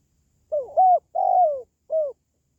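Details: Spotted dove uttering one clean four-note coo phrase: a short coo, a rising held note, a long falling coo and a brief final note, on a silent background. Meant to boost pet doves or lure wild ones.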